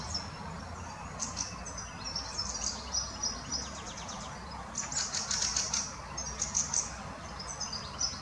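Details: Fieldfare parent and young in the Botanical Garden, Munich: a run of high, thin squeaks interspersed with short rasping, chattering bursts, repeated irregularly throughout, against a constant low background hum.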